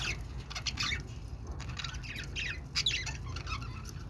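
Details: Budgerigar chattering: a busy run of short, scratchy warbled notes and squeaks in quick, irregular bursts throughout, over a steady low hum.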